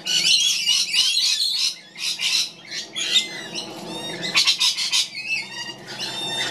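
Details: Young magpie fed by its mother, giving continuous loud grating squawks and scratchy rasps, some short rising whistled notes mixed in, sustained for over six seconds.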